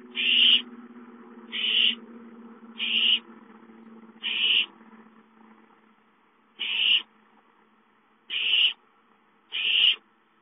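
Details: Owlets begging for food at home, 5-9-13. Seven rasping hiss-screeches, with a low hum over the first half and a longer gap midway.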